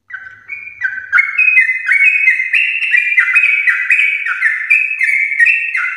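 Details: Champion-bloodline yellow-vented bulbul in long 'ropel' song, used to encourage kept birds: after a quiet start, a fast, loud string of bright whistled notes climbing and falling in steps.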